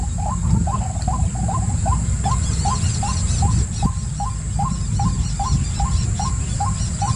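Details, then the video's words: Rhythmic run of brief rising notes from a white-breasted waterhen, repeated roughly every half second, with thin high chirps of another bird joining midway and a deep background rumble. "White Breasted Waterhen"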